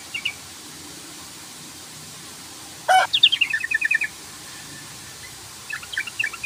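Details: Yellow-vented bulbul provoking a rival to answer: a loud click, then a fast sequence of chirps sliding downward, and after a pause a sparse scatter of high, bright notes.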